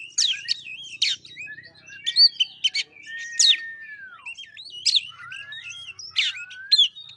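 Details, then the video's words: White-rumped shama song used as a lure to make a reluctant bird sing: rich, varied phrases of sharp whistles, sweeping slurs and rapid chirps in quick bursts, including one long falling whistle, with clear gaps between phrases. "Pancingan kacer males bunyi"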